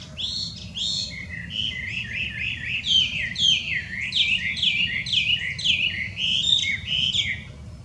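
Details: Wild Chinese hwamei, an invasive introduced songbird in Japan, singing very loudly: a continuous run of rapid, slurred, bright whistled notes rising and falling, phrases tumbling one after another for eight seconds over low background rumble.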